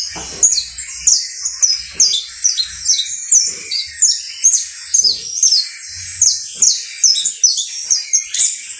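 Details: Saffron finch song, locally called canario basto criollo: steady high, bright chirping phrases rising and falling in quick pulses about twice per second, loud and continuous, with soft low knocks in the background.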